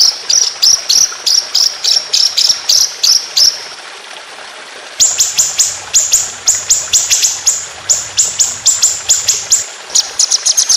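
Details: White-rumped shama rolling 'tembakan' song: fast series of high, sharp clipped notes, a pause of about a second, then a longer, quicker run of piercing notes over faint low hum.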